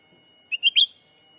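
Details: Lure call of the black-capped bulbul to attract wild birds, recorded in Sumatran forest: three quick chirps rising in pitch and loudness, against a faint steady tone.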